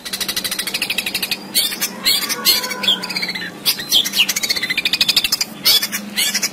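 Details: Long-tailed shrike in lively 'gacor full isian' song, used as a training recording for birds reluctant to sing: dense bursts of sharp, chattering and squeaky notes with short whistled slurs, delivered in rapid clustered phrases and nearly continuous, with a low steady hum beneath.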